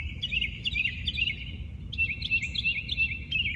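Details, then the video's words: Wild birds at daybreak in their natural surroundings: quick rolling phrases of slurred, up-and-down notes repeat about three times a second, with a brief pause midway, above soft background noise. "Listen to the birds sing"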